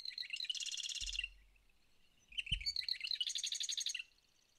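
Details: Marsh Wren (Cistothorus palustris) sings twice in late May, newly arrived on territory; each song a few ticking notes running into a fast, high, buzzy rattle about a second long, with a couple of soft thumps.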